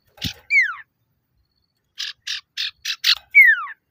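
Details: Calling male common iora used to provoke rivals: a falling slurred whistle, a pause, then five quick buzzy rasps closing with a louder descending whistle.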